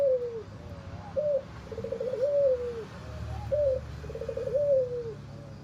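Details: Hoarse albino Barbary dove, white with red eyes, giving two full cooing phrases: a falling note, a sharp short coo, a rolling buzzy burst and a long down-sliding coo, over faint low background noise.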